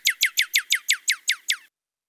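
A Northern Cardinal gives nine quick, clear, sharply down-slurred notes, about six per second, like little laser shots, then stops. No other sounds.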